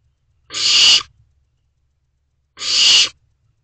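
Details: Young barn owl in a nest box at night in May; two harsh, noisy screeching hisses about half a second each, spaced two seconds apart, with silence between.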